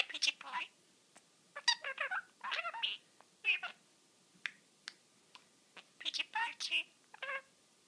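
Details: A pet budgerigar (Melopsittacus undulatus) talks, chattering in quick, scratchy, speech-like bursts with short pauses between phrases.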